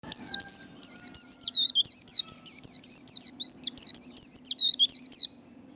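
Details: White-eye giving 'líu đấu', the fighting-style 'líu' song used to fire up and train singing birds: a rapid run of about twenty high, sharply twisting notes over five seconds, ending abruptly just before the close.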